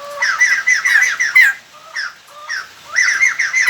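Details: Decoy song of a white-crested laughingthrush, used to lure wild birds: fast, rhythmic series of repeated whistled notes, a pause with a few isolated rising notes, then the rapid repeated series resumes.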